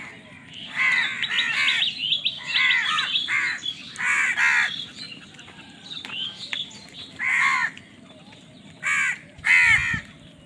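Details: Crows squabbling over food: bursts of hoarse, grating caws come in clusters of two or three, separated by short quiet gaps, with faint higher chirps mixed in.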